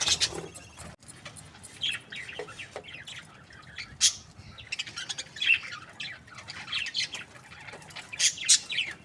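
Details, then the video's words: Budgerigar breeding pairs, said to be happy, give a steady stream of short chirps and harsh squawks, scattered sharp notes over a soft background of further chatter. "Happy budgie chirping sounds | breeding pairs"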